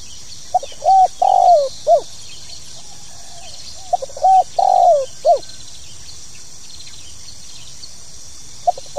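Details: Two full phrases of the spotted dove's 'pokal tanggung' call: soft pips, a level coo, a drawn-out descending coo and a short curved note, followed by a quiet gap and the start of another phrase.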